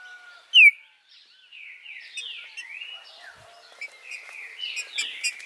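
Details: Song of a green-winged saltator (trinca-ferro) in captive breeding, recorded 2 August 2020 in Araruna, Paraná, Brazil, played to excite caged birds to sing and contest. One sharp loud note, then a run of clear slurred whistles, rising and falling, at steady pitch.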